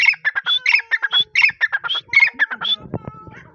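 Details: Francolin, locally called teetar, calling loudly in a fast run of harsh, squawky, chattering notes, about four per second, high and bright, ending in a softer, scratchy fade.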